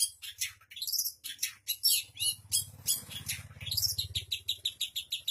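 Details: Shrike in full song, mimicking other birds, delivering fast strings of high chirps and swooping whistles, with a low steady hum underneath.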